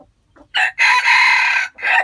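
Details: White-eared decoy rooster crowing: a short rising opening note, then a long, loud, harsh drawn-out crow with a strong ringing tone, ending in a brief clipped final note, all in clean quiet surroundings.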